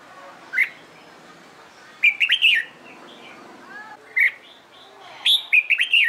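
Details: Red-whiskered bulbul being trained for fighting song: single sharp chirps alternating with short rollicking phrases of slurred whistles, with softer background warbles from other birds.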